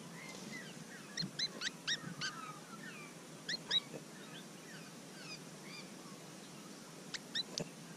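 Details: Very animated Willie wagtail fledglings near Mannum, South Australia, recorded up close, give sharp, high ticking chirps in quick bursts mixed with short slurred whistles, over a low, steady outdoor hum.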